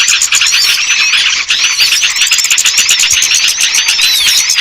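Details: Small-bird lure sound for birds hard to bring down, full of busy high-pitched twittering and curving whistled chirps from many birds at once, over a constant quick clicking pulse.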